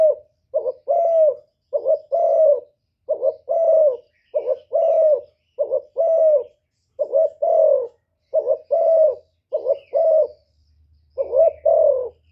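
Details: Spotted dove calling to rouse male birds, a steady run of deep throaty coos: a quick doubled note then a longer falling coo, repeated about every second for twelve seconds, with a faint low hum near the end.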